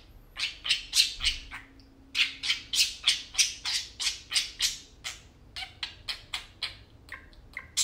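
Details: Tame pet parakeets at play, a fast steady run of harsh buzzy squawks repeated about three times per second, then shorter chirps.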